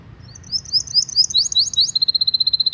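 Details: Long canary trigger song for tutoring young canaries and prompting silent ones: sweeping high slurred chirps build into a fast, even, repeated trill.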